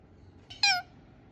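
An Indian ringneck parakeet gives a single short, nasal, slightly falling squawk lasting about a third of a second, in a quiet room.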